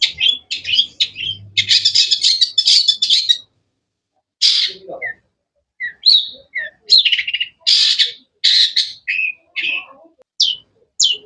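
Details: Long-tailed shrike (cendet) giving sharp, varied chirping: dense buzzy bursts of high notes for three seconds, a pause, then separate clipped chirps and short whistled notes scattered irregularly to the end.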